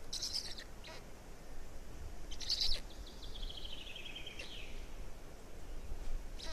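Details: Estonian black stork chicks, 18.05.2019, with the fourth chick: two short loud buzzy bursts followed by a long descending whistled slide, over a low continuous rumble.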